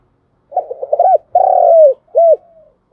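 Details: Spotted dove giving its lure call for trapping: a few quick stuttering notes build into an arched coo, followed by a long vibrating downward-sliding coo and a closing short rounded note, recorded cleanly.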